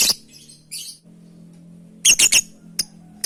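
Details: Lovebird calling to companions: a sharp shriek and soft chatter, then three rapid loud screeches and two short chips, with a steady low hum behind.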